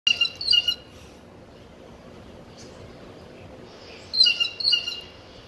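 A blue jay gives two quick bursts of squeaky, ringing notes about four seconds apart, with a faint background hush between them.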